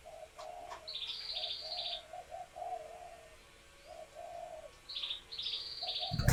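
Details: Laying female spotted doves whose calls excite males to coo and court; a run of muffled low coos under hiss, with bright high chirps from another bird and a loud bump at the end.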